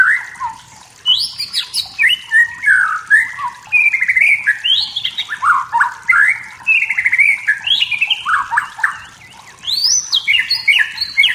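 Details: Wild white-rumped shama singing to provoke rivals, delivering a long, continuous, varied song of fast whistled phrases and chattery notes that rise and fall, ending in high bright notes.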